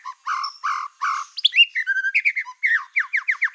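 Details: Black-tailed white-rumped shama in vigorous song used as a provoking lure: three harsh nasal rasping notes, then fluty whistles and a fast string of sharp rising chips.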